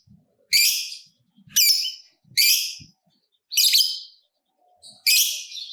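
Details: Lovebird giving loud, rasping, screechy squawks used to stimulate other lovebirds. Five separate bursts come roughly one second apart, with faint low knocks in the background.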